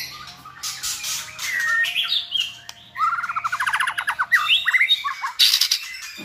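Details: White-rumped shama singing as a tutor so a selected shama learns varied song; a harsh start, then a rapid ticking trill and bright whistles ending in loud buzzy notes.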